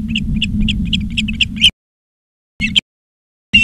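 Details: Ospreys at a nest in Charlo, Montana, on 17 August 2023 around 16:04: a quick run of short whistled chirps over a steady electrical hum, then silence broken by two brief chirp bursts.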